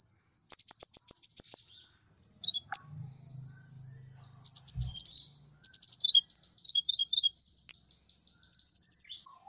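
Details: Sunbird (kolibri ninja) singing energetically, used as a tutor recording for training cage birds: bursts of very high, rapid chattering trills and sharp twittering notes, with short pauses between phrases, ending in an even, fast trill; faint low hum in the middle.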